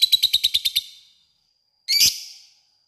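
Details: Lovebird ngekek used as a lure to call a rival: eight quick, sharp, high chirps in under a second, then silence, then one harsh, dense rising burst.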